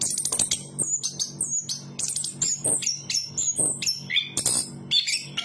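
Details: Chestnut-capped thrush from the forests of Southeast Asia in continuous high song, mixing thin piercing whistles, fast chattering trills and short descending slurs, phrases following one another closely.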